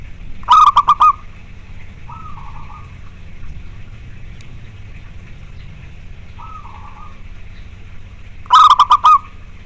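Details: Natural local zebra dove song, played to encourage reluctant doves to sing: two loud phrases of quick staccato coos about eight seconds apart, with softer, more distant cooing notes between them over a faint low rumble.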